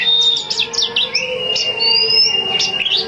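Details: Female Oriental magpie-robin singing vigorously to lure males: a varied run of clear whistled notes, quick slurred upward and downward sweeps, then a long, thin, high sustained whistle, over a steady low hum.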